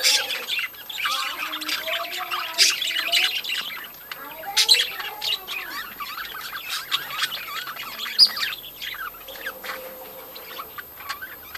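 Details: Crowded budgerigar breeding colony chattering: warbled twitters and squawks overlap densely, loudest early on, then thinning slightly toward the end.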